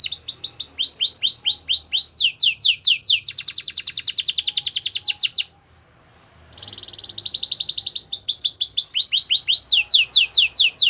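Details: Morning song of a Belgian canary, built from rapid rows of falling whistled sweeps and fast rattling trills, broken by a brief pause near the middle before the trills and sweeps resume.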